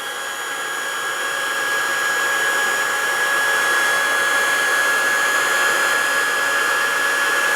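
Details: Loud, even whine of a motor like a hair dryer or power tool running continuously, slowly growing louder.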